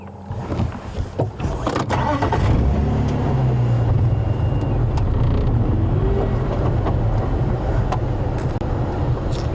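A vehicle engine rumbles and revs throughout, with people talking over it and no animal voice heard.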